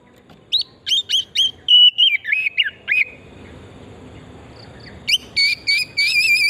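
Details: Oriental magpie-robin singing as a lure to provoke other birds: quick repeated upslurred whistles, a warbled descending phrase, a pause with background hiss, then loud wavering whistles.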